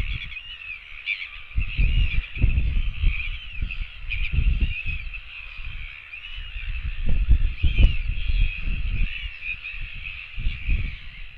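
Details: Northern royal albatross chicks begging for food at a nest on 24 September 2017, a returning chick joined by other chicks; a steady mesh of wavering, reedy calls runs throughout, under heavy low wind buffeting that comes in gusts.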